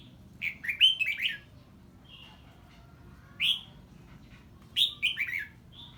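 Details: Red-whiskered bulbul giving ché song toward an unfamiliar bird: two lively phrases of rapid, rolling, down-slurred whistles, with a single swooping note between them and quiet background.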